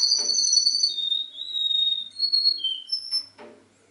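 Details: Mimicking canary song: a string of clear, high whistled tones, each held briefly then stepping down or jumping to a new pitch, with a short, higher whistle near the end before it fades, in a quiet room.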